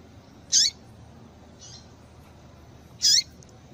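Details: Female papa-capim calling to get males singing: two sharp, high, downward-sweeping chip notes about two and a half seconds apart, with a fainter note between them over quiet background hiss.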